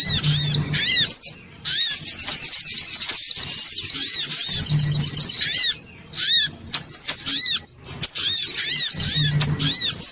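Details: Loud songon otong bird-luring calls: bursts of arched, whistled high chirps and busy twittering, broken by several short silences, with a low hum pulsing at intervals beneath.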